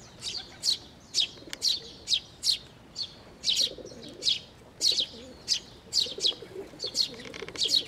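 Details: Sparrows and newly fledged young come to a water bridge at a Tenmangu shrine for food, 11 May 2024, giving steady, bright, high-pitched chirps roughly twice per second, while a pigeon coos faintly beneath.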